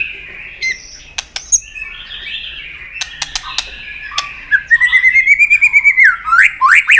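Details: Excited white-rumped shama flicking its tail while singing to challenge a rival: soft chatter and sharp clicks at first, then a long even whistled phrase and loud upward-sweeping whistles.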